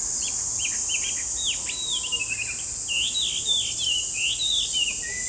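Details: Chinese hwamei singing rich, fluty whistles: looping up-and-down notes, some drawn out, flowing almost continuously for five seconds above a persistent high-pitched buzzing background.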